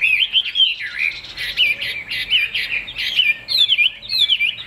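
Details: Chinese hwamei, a caged trade bird with a fig-leaf-shaped tail, in rich loud song: bright whistled phrases that twist and warble rapidly, delivered in bursts separated by brief pauses.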